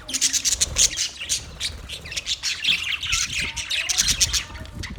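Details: Budgerigars keep up a steady, lively chatter of sharp high chirps, short squawks and warbling notes, many birds overlapping throughout.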